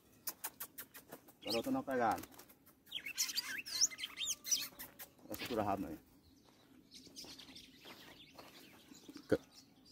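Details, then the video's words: Red-cowled cardinal singing: a run of quick sharp chirps, then bursts of warbled, whistled phrases rising and falling, with a person talking over parts of the song. "Galo de campina GAROTÃO na pegada livre"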